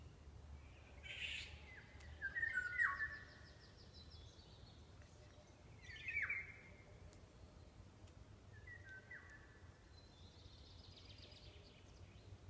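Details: Wild forest birds singing: faint, thin chirps and short twittering phrases at irregular intervals, with a steady low hum and soft background hiss throughout.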